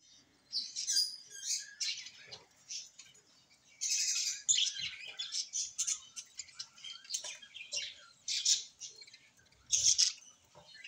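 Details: A small parrot, tagged as a budgie, chatters in rapid, high, scratchy warbles and chirps, sometimes mimicking speech.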